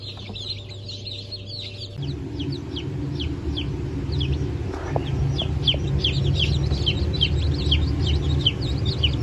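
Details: Brahma and Wyandotte chicks hatched on 4 August 2024, quick downward-sliding peeps repeated rapidly by several chicks; a low hum stops after two seconds and a louder rumbling background follows.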